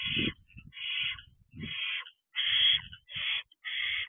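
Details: Several barn owl owlets spend time on a perch at their owl box at 8:34 pm in early June 2023. Rapid rasping screeches follow one another closely, mixed with soft low thumps and scuffles.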